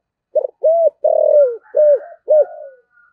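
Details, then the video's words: Spotted dove kept as a decoy bird, cooing in the 'giọng thổ' style: five low, hollow coos in quick succession. The third is drawn out and falls at the end. A faint, higher, thin whistle runs behind them. "Chim Cu Mồi// cu gay giong tho cuc dinh"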